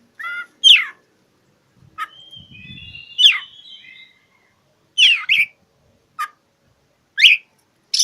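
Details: Oriental magpie-robin song meant for a rival, mixing short stuttered notes, a soft whistled warble over a low rumble, and loud, abrupt downswept calls repeated about once a second.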